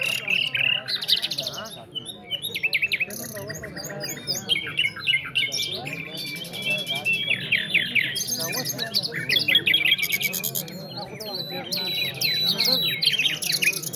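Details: Nightingale in an Afghan singing contest pouring out a long, varied song of high trills, rattling buzzy runs, sharp whistles and rising slurs with brief pauses, over continuous low human chatter.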